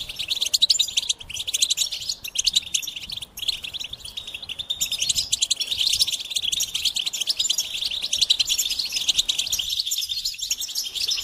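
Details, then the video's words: Singing goldfinch: long run of rapid high twittering and jingling notes, briefly dropping out near the start, then building into a dense, steady chatter. "Experience the Goldfinch Singing"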